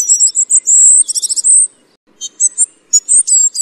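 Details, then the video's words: Tristram's bunting singing a run of high, sharp notes that flows into a buzzy trilled burst, then a short pause before more thin chirps and whistled slurs. "白眉鵐/Tristram's Bunting"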